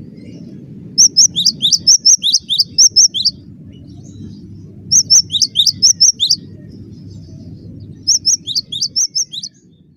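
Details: Cinereous tit giving three bursts of rapid, high, ringing paired notes, each burst lasting one to two seconds and separated by quiet gaps, over soft low background noise.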